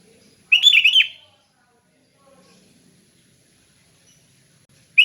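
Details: Sooty-headed bulbul, kept for training others to sing, giving a relaxed, loud, clear phrase: one quick burst of bubbly, warbled whistled notes lasting under a second, then near silence before another phrase begins at the end.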